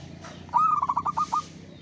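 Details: One song phrase from a local zebra dove: a clear opening note followed by a fast stuttering string of about six short cooing notes, set against low background rumble.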